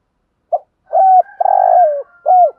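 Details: Decoy spotted dove calling to attract wild doves: a brief opening note, a sustained hollow coo, a long vibrating rolled coo that slides downward at the end, then a final falling coo, over a faint high steady tone.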